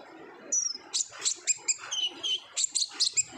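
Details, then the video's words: Lure recording of an olive-backed sunbird singing busily in the 'ngobra' style: a sharp descending whistle, then rapid high chips and twittering notes repeated several times a second. "PANCINGAN KONIN GACOR NGOBRA , KONIN BAHAN PASTI AKAN RAJIN BUNYI"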